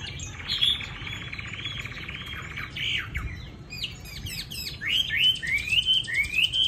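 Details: Chinese hwamei kept caged in Hanoi's Định Công area, Vietnam, with light yellow legs, pours out rapid varied whistled phrases with buzzy, trilled passages. It ends in a run of sharply rising slurred notes.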